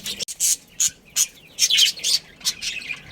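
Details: A colony of pet budgerigars, a family group with a breeding pair, chirping in short, sharp, high bursts about every third of a second to half a second, separated by brief quiet gaps.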